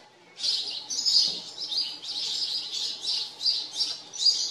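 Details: House sparrows living on a farm chirp in a steady, busy chatter, with bright overlapping chirps that rise and fall in loose bursts about every half second.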